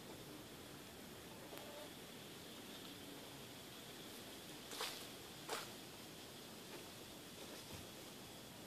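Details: Quiet background hiss with faint rustling and two short sharp clicks in the second half.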